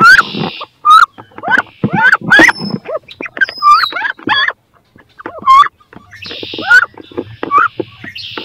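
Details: A nest-box fight between two female wood ducks seeking to lay eggs: sharp, rising whistled squeals repeat rapidly among clatters, scratches and wing or body thumps.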